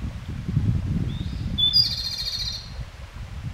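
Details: Japanese robin giving subsong: a thin, slightly rising high note, then a brief, rapid, rattling high trill lasting under a second, over a steady loud low rumble throughout.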